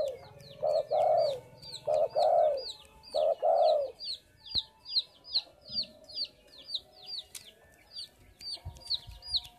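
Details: Spotted dove calling often: three paired, throaty coo phrases in the first four seconds, then the dove falls silent. Bright, rhythmic chirps from other small birds continue to the end.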